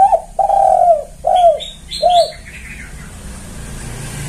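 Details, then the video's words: Loud, clear lure call of a spotted dove, used for luring wild doves, in stuttered delivery: four strong arched coos about half a second apart, followed by thin high chirping from small birds. "Suara pancingan tekukur kuk2 gacor"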